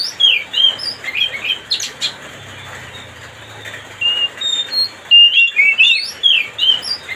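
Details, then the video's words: Oriental magpie-robin song aimed at making another bird agitated: energetic mix of whistled notes, chattering chirps and slurred phrases, loud bursts coming roughly twice a second with a short lull, faint low hum underneath. "mancing suara kacer biar emosi.."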